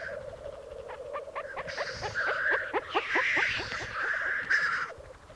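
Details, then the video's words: Black grouse cocks displaying at a lek in the Piedmont Alps, Italy, 2022. A steady low bubbling rookoo chorus runs throughout. Rapid descending ticking notes are followed by loud hissing sneeze-like bursts in the second half. "Parate dei Galli Forcello"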